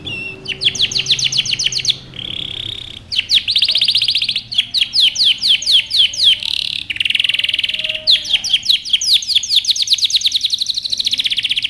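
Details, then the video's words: Canary song played for training birds: fast rolling trills of sharp repeated notes alternating with buzzy sustained passages, loud and continuous for nearly twelve seconds with only brief breaks. "canary singing over power canary most powerful song for best training"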